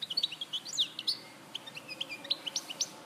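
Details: Larache, 2014 recording of a European goldfinch singing rapid liquid twitters: sharp high chips, short buzzy slurs and trilled notes strung together without pause over a quiet background.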